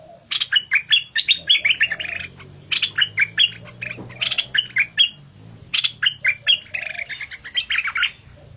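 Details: Bulbul singing hard in the fierce style: repeated phrases of sharp chirps and sliding whistles, each phrase about two seconds long with brief gaps, delivered loudly and continuously.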